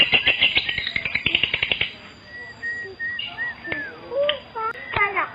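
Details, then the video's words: Lovebird lure call used to attract other lovebirds: a burst of rapid, shrill, high chattering chirps for about two seconds, then scattered short whistled notes and a few sharp clicks. "SUARA PANCINGAN LOVEBIRD"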